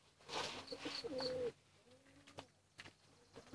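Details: A pigeon chick cries for food with one clear, slightly wavering whistle, then softer, thinner peeps amid light rustling and a couple of knocks.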